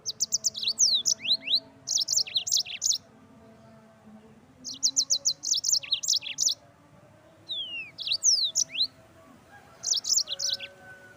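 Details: Yellow-fronted canary song for training birds: short bursts of rapid, high chattering notes mixed with sharp downslurred whistles, four bursts separated by brief pauses, over a faint low hum.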